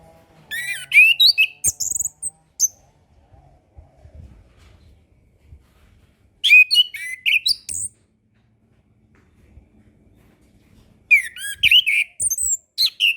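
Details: Orange-headed thrush master song for birds that sing little after moulting or are still learning: three separate bursts of varied high whistles, chips and trills, each about a second or two long, spaced roughly five seconds apart with quiet gaps between.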